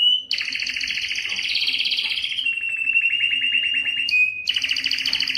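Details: Canary, likely a Belgian canary, singing to stimulate females for breeding; dense rolling trills broken by a sustained pure whistle, then another burst of rapid rattling notes, with a faint low hum beneath.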